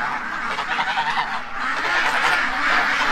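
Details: A crowd of domestic ducks kept free-range in a pen in Ontario, Canada, quack excitedly after something frightened them in the morning; raspy overlapping calls pulse and swell, growing louder toward the end.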